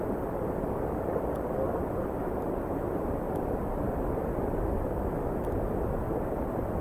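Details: Only a dense, even rumble of wind-like noise with occasional faint ticks is heard, and no animal calls.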